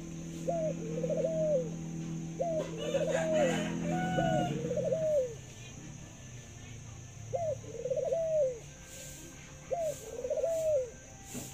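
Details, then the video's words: A zebra dove kept as an ornamental bird, famed for laughing and cooing at length. Five rippling coos, each opened by a sharp upward note, sound over a low hum in the first half before the hum fades. "Chú chim cu Thái biết cười và có tiếng gáy lâu nhất thật đẹp"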